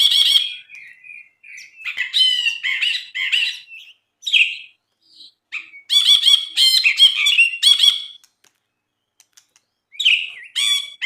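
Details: Masteran recording of a Brinji (bulbul) singing gacor: a varied stream of loud chattering and scratchy phrases mixed with short whistles, broken by gaps of a second or so.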